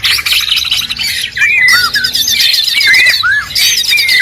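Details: White-rumped shama, a fighter bird kept for singing contests, singing loud varied phrases: rich whistled notes with rising and falling slurs mixed with rapid high chattering and squeaky trills, several phrases in quick succession.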